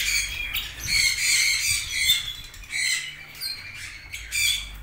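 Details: Harsh, scratchy squawks from red-rumped parrots, repeated in uneven bursts, some with short thin whistled notes mixed in.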